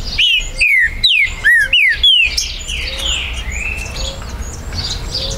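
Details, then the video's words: Captive green-winged saltator, Brazil, September 2020, a territorial bird whose song sparks disputes: quick series of loud, downward-slurred whistles for two seconds, followed by quieter background chirping and low notes. "ESQUENTE MUITO seu TRINCA FERRO"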